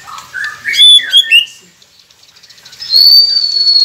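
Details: White-rumped shama song for prompting captive birds to sing: a few clear whistled notes and quick chips, a short gap, then a long sustained high whistle.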